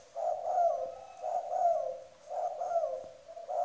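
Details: Spotted dove kept as a decoy bird from Tra Vinh, giving strong, firm coos: low, hollow, mellow phrases repeated in steady groups roughly every second, each with a slight rising inflection, in a quiet setting.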